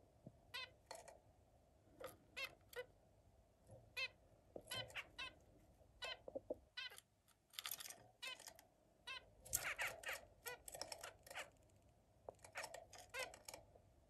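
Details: Zebra finches at play with other birds, a busy run of short nasal honking calls, some overlapping, coming every half second or so with brief pauses.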